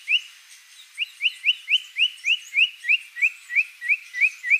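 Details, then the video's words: White-rumped shama singing actively, here a steady series of short, bright, upward-slurred whistles repeated about four times a second with little variation, over a quiet background. "MURAI BATU GACOR ISIAN BANYAK"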